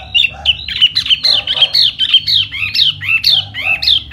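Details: Silver-eared laughingthrush in spring singing in the fanning display style called hót xoè: a rapid run of loud slurred whistles, each bending down then up, delivered about twice a second with faint lower murmuring beneath.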